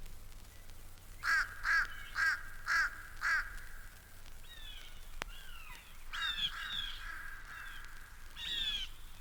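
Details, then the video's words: Adult fish crow at Mountain Lake Sanctuary, Lake Wales, Florida, giving a quick run of five short, nasal caws about twice a second, then a few more hoarse, slurred calls; the call is sometimes confused with a young common crow's cry. "Some people confuse this call with the cry of a young common crow, but he's the adult fish crow."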